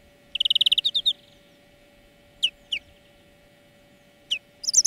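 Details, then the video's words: European greenfinch song from a training lesson for birds: one quick rattling trill of about ten notes, then sparse single sharp chips spaced apart, ending in a fresh trill. "Florya Ötüm Dersi"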